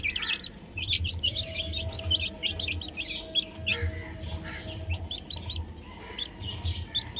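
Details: Baby chickens playing on a roof, many short high chirps overlapping in a busy chorus, some in quick runs, over a steady low rumbling hum that pulses on and off.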